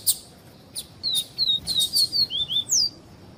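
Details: Double-collared seedeater singing the viviti song type, female calls also included: a clear run of high descending whistled slurs, roughly three per second, ending in a rising-then-falling note.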